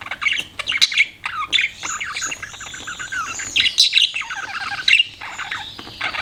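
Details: Pet budgies give dense, continuous chirping and warbling: scratchy, twittering notes with thin high squeaks woven through, and only brief dips in loudness.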